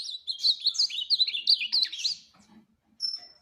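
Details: Ultramarine grosbeak (azulão) delivers a fast phrase of slurred, warbling whistles, then a soft pause and one clear high sustained whistle at the end.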